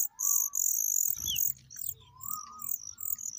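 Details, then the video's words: Familiar chat chicks begging while adults feed them, with shrill, rapid high-pitched chirps over two smooth mid-pitched whistled notes that rise and fall, plus a brief low rustle. "Familiar chat birds feeding hungry babies"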